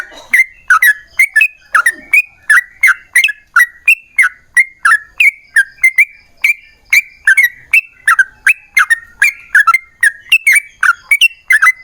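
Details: Long-roll ropel panjang singing from a lively Yellow-vented bulbul, played as a lure so other bulbuls answer; rapid chains of liquid, gurgling whistled notes follow one another almost three per second for about twelve seconds.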